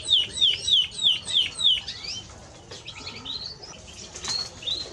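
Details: A Spanish Timbrado canary sings a fast series of bright, sharply down-slurred whistled notes, about three a second, then breaks into softer, varied twittering phrases.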